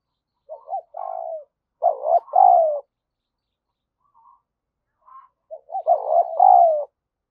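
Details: Spotted dove decoy cooing fast and urgently ('gáy thúc') to stimulate wild birds; two loud phrases of stuttering short notes and a long descending coo, a few seconds apart, with faint soft coos between them.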